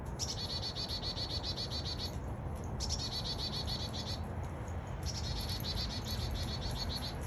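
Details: Chickadee making its very small but annoying sound, long runs of rapidly repeated harsh high notes broken by brief pauses, with low rumbling noise underneath.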